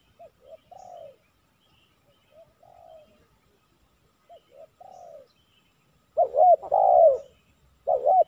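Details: Tekukur, or spotted dove, heard while trapping with a decoy in Silaban village, Lintong ni Huta; soft, distant three-note coos repeat several times before a loud nearby bird answers with arched, then long downslurred coos.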